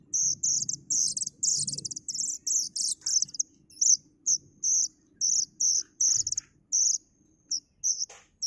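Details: Plaintive cuckoo nestling with a fast stream of high rasping calls that breaks into evenly spaced, sharp buzzy chirps about twice a second, in a quiet setting.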